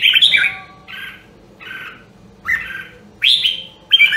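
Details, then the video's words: Red-whiskered bulbul with the Nam Đông, Huế voice, singing a training song meant to stir competition singing. Short clear whistled phrases come about every half second, alternating bright rising notes with softer lower slurs. A quiet hum is audible. "Luyện giọng Chào Mào Nam Đông Huế"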